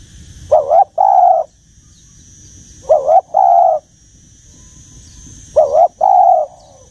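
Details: Dove with a deep, old-sounding voice from the Rừng Sát forest, cooing in low two-part phrases: a short wavering note then a longer steady one, repeated three times with long pauses, over a constant thin high whine.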